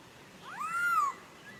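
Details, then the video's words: Papuan poksay, Nabire, Papua, 26 December 2021: one drawn-out, gently arched whistle lasting about half a second, with faint background hiss. "Burung Poksay Papua"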